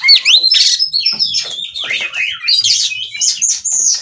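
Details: Mating-ready oriental magpie-robin in an excited 'ngobra' display: sweet whistles sliding up and down, mixed with scratchy buzzes, delivered as a lively, varied phrase sequence with short gaps.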